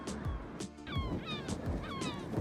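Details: Colony of Black-billed Gulls, possibly nesting or resting, on a braided river in the Canterbury high country, New Zealand, on a fine day, giving thin, squealing downslurred calls in quick succession over heavy low rumbling of wind and river.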